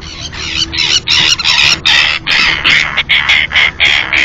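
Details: Two incubating pairs of common terns at a floating nesting platform in the Marismas de Astillero reserve, Santander Bay, Cantabria, Spain, give harsh, grating, high-pitched calls, about three a second, calling over one another.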